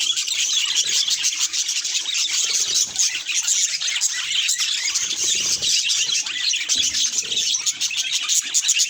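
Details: Budgerigar in front of a mirror chatters steadily, its quick high chirps and scratchy warbling running evenly from start to finish.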